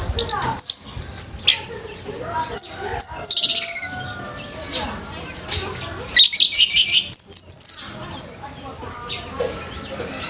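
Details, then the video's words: Orange-headed thrush singing at a bird singing competition: a rapid, varied stream of high, sharp chirps, trills and twittering phrases, bursting in dense runs with short pauses between them. "ANIS MERAH PUNCAK SENI BIRD COMPETITION"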